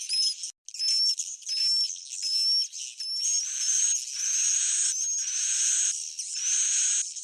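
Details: Swiftlets in an old-style, proven recording: thin whistled notes repeated about once a second over continuous high buzzy twittering. A brief silent gap comes near the start.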